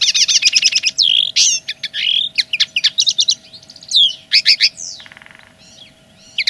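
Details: A common linnet proclaims its territory with a dense, fast stream of twittering: rattling trills, swooping whistles and clipped chirps that fade into softer trailing notes near the end; low background hum.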